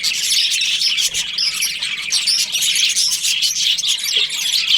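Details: Budgerigar colony in breeding season, many birds chirping at once in a thick, bright, buzzy chatter that stays steady throughout.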